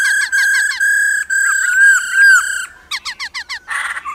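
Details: A female laughingthrush calls to rouse males to sing. Steady loud whistles are broken by downward-flicking notes, followed by a quick series of repeated looping notes and a short harsh burst.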